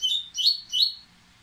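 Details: Three bright, slightly buzzy whistled notes, each slurring downward, follow one another quickly from an excited Dubois's seedeater preparing to sing, then fade into quiet hiss.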